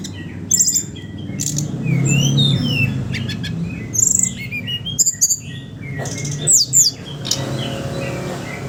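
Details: Brown-chested jungle flycatcher song of the ngeriwik ngeplong style, used as a lure for raw young birds: a lively run of high slurred whistles, sharp chirps and buzzy clicking bursts with brief pauses, over a steady low rumble.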